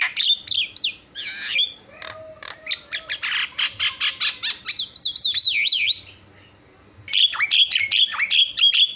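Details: Javan myna song used as a lure to provoke rival mynas into answering: loud, rapid harsh squawks, whistled rising and falling notes and clicking chatter, with a short pause before shrill whistles resume.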